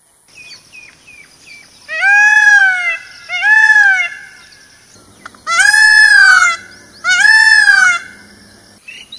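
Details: Peacock wandering in a forest gives four loud, drawn-out nasal wails, each a rising-then-falling arched cry of about a second, spaced a few seconds apart, with faint short notes before them.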